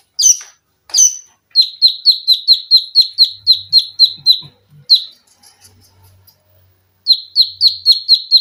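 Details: Olive-backed sunbird, cage-bird training recording: two loud sharp notes, then a rapid series of piercing downslurred chips about four per second, a pause, and the chips resume; faint low thumps in the background.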